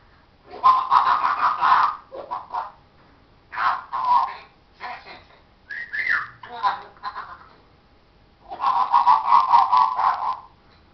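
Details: Pet parrot talking, speaking hello and phrases in a raspy mimicked human voice, with a short rising whistle in the middle and long bursts of chattering syllables at either end.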